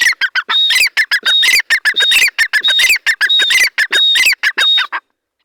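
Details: Grey francolin, known locally as teetar, roaming free in the jungle during the breeding season, gives loud, harsh squawking notes in rapid, uneven bursts, repeated over and over for about five seconds before stopping abruptly.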